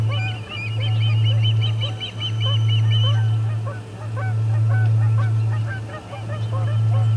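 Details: Osprey at the Charlo P2 nest ejecting visiting ospreys, 12:10pm MDT, August 20, 2020: a dense burst of rapid high whistled chirps for about three seconds, then scattered lower chirps, with a steady low hum behind.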